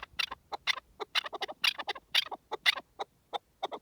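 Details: Wild partridge giving a fast, uneven series of sharp, clucking notes, often doubled, roughly two bursts a second, against a quiet background.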